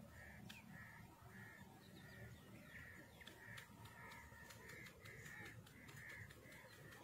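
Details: Black francolin, known locally as kala teetar or Sindhi teetar, calling: rough, buzzy notes held at one mid pitch, repeated about twice a second in a steady run over low background hum and scattered faint clicks.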